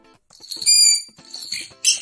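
A green-cheeked conure gives a short series of high, squeaky whistled notes and one harsh, scratchy squawk at the end, all in about two seconds.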